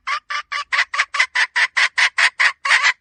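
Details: Female red junglefowl used to lure wild birds, giving a rapid series of about thirteen harsh, raspy cackling notes, each about four per second, steady and evenly spaced.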